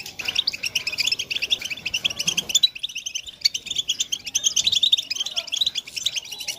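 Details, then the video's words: Group of European goldfinches twittering together as stimulation to make males sing: a continuous mass of quick, high, jingling notes from several birds, thinning briefly midway, then resuming just as dense. "بتبتة الحسون تحفيز الحسون على التغريد والهيجان علاج صمت الحسون goldfinch stimulation"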